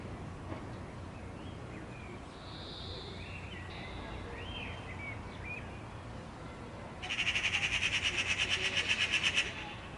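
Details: Faint thin chirps of other small birds early on, then a loud Eurasian magpie rattle, a fast grating run of repeated notes lasting over two seconds.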